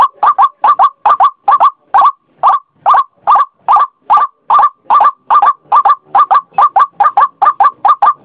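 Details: White-breasted waterhen repeating harsh croaks in a steady rhythm, paired notes at the start and end, single notes in between, loud and clear.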